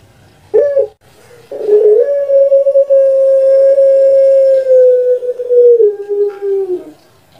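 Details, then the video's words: Caged puter pelung dove kept at home in Java, Indonesia, as a long-voiced training recording: two short opening notes, a pause, then one drawn-out steady coo held about five seconds, falling slightly at the end. "Puter Pelung Suara PANJANG"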